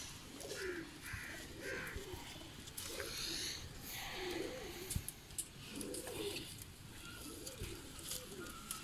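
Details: Salaray Teddy pigeons, a domestic breed kept for sale, cooing in low, rolling phrases that rise and fall again and again, several coos overlapping. Brighter chirps from other birds and background clatter sound higher up.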